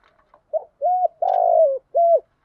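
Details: Decoy spotted dove cooing to stimulate wild doves to call, a calling style with one end note: a short soft note, then low hollow level coos and a long buzzy coo that drops at its close, followed by one more clear coo.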